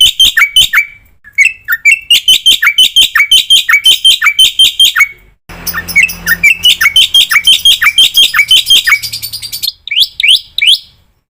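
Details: Black-winged myna training song full of fill-in phrases: long runs of loud, sharp whistled notes with upward flicks, about three per second, broken by short silences, with a low hum in the middle section.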